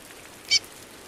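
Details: Single bright, high chirp from a female chestnut-bellied seed-finch calling in the rain, with soft rain hiss behind it.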